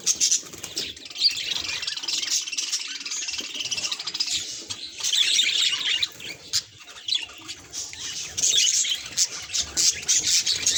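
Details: Pet budgerigar reacting to a mirror: dense, high, scratchy chattering and squawky chirps in loud bursts, with brief quieter pauses around six and seven seconds.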